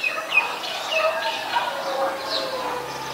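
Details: Acridotheres grandis, the white-vented myna, recorded 26 December 2020 in Ubon Ratchathani, Thailand: harsh squawking notes mixed with short rising whistles, several overlapping in a busy, chattering run with rural background noise.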